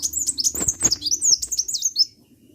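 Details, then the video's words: High-pitched sunbird twittering, a dense run of thin, wavering chirps and quick slides lasting about two seconds before fading to quiet. "KICAU BURUNG KOLIBRI GACOR"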